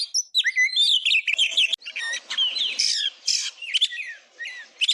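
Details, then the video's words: Oriental magpie-robin (kacer) tutor song for training other birds: quick slurred whistles and scratchy notes pour out continuously over a faint background hiss. "Masteran isian ful burung kacer gacor"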